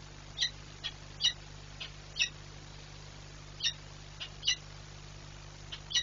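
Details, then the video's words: Peregrine falcon at the Orlen Płock nest, 15 March 2022, jumping from the nest screaming, gives about nine short, harsh, high calls at irregular intervals, some loud and some faint, over a steady low mechanical hum. "sokół wędrowny - Rozkrzyczana"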